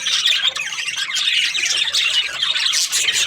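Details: Budgerigars, Australian parrots, squawking and chirping together: harsh overlapping chatter with high whistled notes, dense and unbroken.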